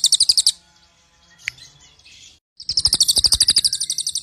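Cililin giving bursts of rapid, very high, ringing trilled notes, a brief run first, then a longer rattling series after a short pause.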